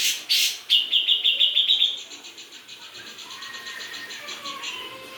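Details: Two sharp loud notes, then a grey-cheeked bulbul's run of rapid whistled pulses that fades into softer chattering, with faint lower warbles from other birds.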